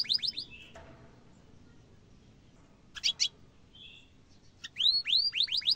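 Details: Canary song used for tutoring young and adult canaries: short bursts of quick, high, upswept chirps, with a brief buzzy note near one second, a pair of sharp clicks at three seconds, then a louder run of rising whistled slurs, between long quiet gaps.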